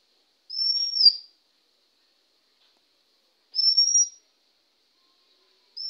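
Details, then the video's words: A male Oriental magpie-robin at a house in India, recorded 20 May 2021 at 1:12 PM, gives clear, high, slightly rising whistles, each under a second and repeated about every three seconds, against a quiet background. "দোয়েল পাখি শিস দিচ্ছে।Sound of Oriental magpie robin"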